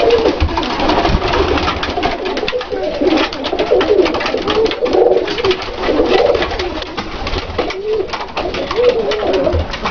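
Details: Several Dalıcı pigeons indoors in a loft, giving low rolling coos at irregular intervals, partly masked by steady rustling, tapping and fluttering from the flock.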